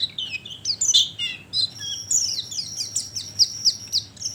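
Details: High twittering oriental white-eye calls from a lure for attracting birds, opening with descending slurred chirps and then settling into quick, evenly spaced sharp tweets, over a faint steady high tone.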